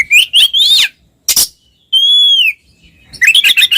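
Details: Oriental magpie-robins, a twin pair singing ngeplong to provoke mute birds: a wavering warble, one harsh burst, then a long smooth arched whistle followed by rapid chattering notes.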